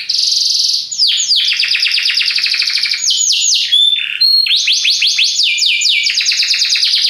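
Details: Belgian canary singing loudly and without pause, a very powerful song of rapid repeated down-sweeping notes forming rolling trills, changing speed, with a clear whistled note near the middle.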